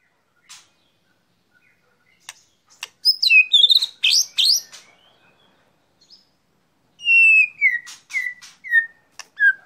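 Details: White-rumped shama out for sunning, singing after quiet: sharp clicks, a loud burst of high swept whistles, a pause, then a series of descending slurred whistles.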